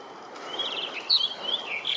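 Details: Blue rock thrush song: a quick warbling run of high, clear whistled phrases that rise and fall, brightening toward the end, over a soft background hiss.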